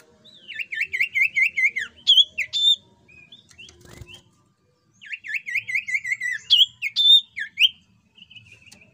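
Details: Lure song of a jungle flycatcher, meant to make other birds answer. Two bursts of rapid, V-shaped whistles rising and falling in quick succession, each ending in sharp upswept notes, with a short pause between them.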